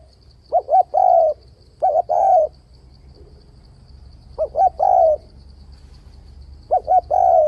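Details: Spotted dove luring call for trapping, with switching voice and steady bo: three repeats of a short phrase, two fast hollow coos then a longer downslurred croo, spaced a couple of seconds apart over a low murmur of background noise.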